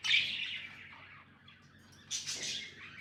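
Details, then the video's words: Two short budgie phrases: a scratchy high warble that slowly fades, a pause, then a brighter burst of chatter. "Budgies amazing love & chirping sounds"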